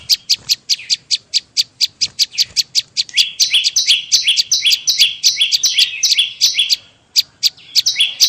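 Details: Bar-winged prinia call used to lure birds: opens with a row of sharp isolated ticks, then breaks into rapid high down-stepping chirps about 150 a minute, with a short pause near the end.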